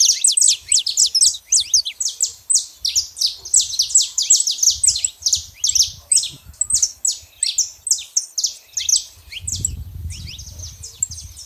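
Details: Saffron finch in a natural setting, pouring out a long, energetic stream of high chirps and quick downslurred notes in close-packed bursts, barely pausing, with a low rumbling noise rising near the end.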